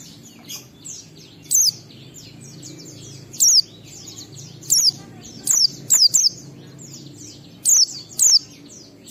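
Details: Ngalas-style singing of an Oriental white-eye, played to get caged birds singing: scattered single and paired thin, downslurred high notes against softer twittering and a steady low hum.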